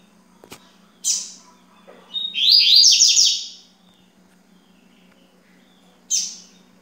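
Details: Yellow-bellied seedeater, known locally as coleiro baiano, recorded at 9:20 in the morning; a short rapid burst of buzzy, descending trilled notes, flanked by brief sharp high chips, over a low steady hum.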